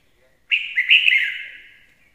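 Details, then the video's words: Red-whiskered bulbul kept as a decoy bird, singing one bright warbled phrase: a sharp onset, then a few quick rising and falling notes that slur into a fading trailing tail, on a quiet background. "Chào mào hót hay - mồi chuẩn"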